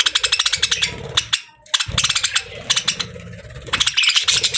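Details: Pet budgerigars described as happy, chirping as they eat; rapid repeated clicking or pecking taps alongside scattered scratchy twitters and warbles, with a short silent gap near the middle.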